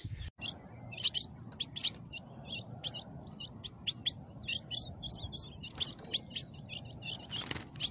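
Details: A caged Ultramarine Grosbeak, with a snake attacking the cage, gives sharp, high chips in quick, irregular bursts, about two or three a second, over a low rustling background.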